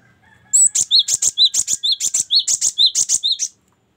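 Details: Cinereous tit singing for songbird tutoring: after a brief quiet start, around three seconds of rapid, ringing high chirps, each followed by a shorter lower slurred note, repeated rhythmically before stopping abruptly.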